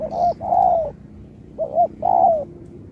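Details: Spotted dove, 2024 singing contest, Thúc style with Bo. Two loud phrases: a double note followed by a long, rich coo that dips at the end. A brief high chirp near the start.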